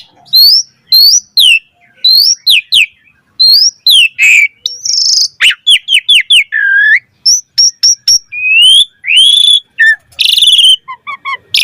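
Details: Full-variation song of an Asian pied starling, played to coax other starlings into singing: high rising whistled notes in quick sequence, then downward slurs, clicks and chattering bursts, all loud and varied.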